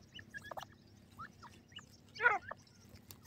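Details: Grey francolin chicks feeding in a forest: soft, short, high peeps scattered through the clip, one louder rasping burst midway, over a steady low background hum.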